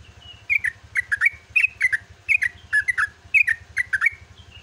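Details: Yellow-vented bulbul singing at dawn in a long, rapid chattering song: short bright chirps grouped in quick clusters of two or three, sometimes with a short slurred whistle, over a steady low electrical hum.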